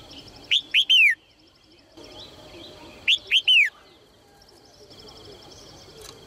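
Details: Encouraging calls of a female Red-whiskered bulbul aimed at getting males to sing. Two whistled phrases about 2.5 seconds apart, each two short upward notes and a longer downward glide, over faint pulsed chirps.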